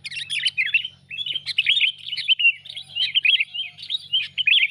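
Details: Sooty-headed bulbul lure call used for trapping birds: dense, continuous chattering of sharp chirps and short warbled notes, overlapping in quick bursts with barely a pause, and a faint low hum underneath.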